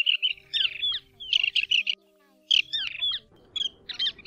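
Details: Mongolian plover, a recording used as a lure for night net trapping in August 2024: clusters of sharp, squeaky, chirping notes in groups of three to five, separated by short gaps, over a low electronic hum.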